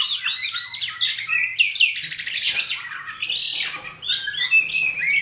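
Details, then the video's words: Oriental magpie-robins in a fight, both showing off their learned song content: a rich jumble of piercing whistles, harsh buzzy rattles and quick twittering phrases, loud and nearly continuous. "BURUNG KACER TARUNG, DUA2NYA BONGKAR ISIAN"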